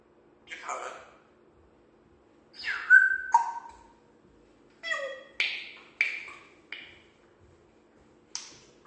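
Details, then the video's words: An African grey parrot playing and enjoying itself, talking and making funny sounds: scattered squawky bursts, a clear tonal whistle, then a quick run of short clipped calls and chirps with brief pauses between them. "African grey parrot having a great time. Talks and makes funny sound."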